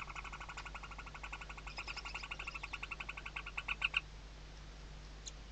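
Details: Western barn owl nest with chicks beneath the mother's wings, Riet Vell reserve, Ebro Delta, Tarragona, Spain, 2023 season, webcam: a rapid run of short, nasal twittering notes, several per second, growing louder and sharper toward the end.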